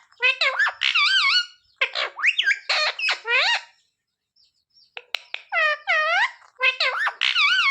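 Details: Talking pet parrot copying "mummy papa", delivering rapid bursts of harmonic, voice-like syllables with rising and falling swoops, a brief pause midway, then more chattering phrases with curved tonal notes.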